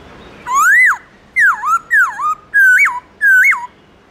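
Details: Black-throated laughingthrush in wild-style morning song: five loud, rich whistles, some arching up and down and others rising then dropping sharply, spaced about half a second apart.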